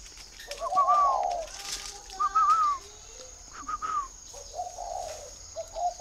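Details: Spotted dove being called down to sleep at a dove garden in Ba Vì, Hanoi, Vietnam: several hoarse coo phrases, some with a brighter rising overtone, spaced over six seconds, plus occasional wing flaps and a thin whine.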